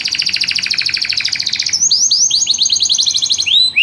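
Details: Canary in rhythmic song, a rapid trill of repeated notes followed by quick upward-swept chirps repeated several times a second.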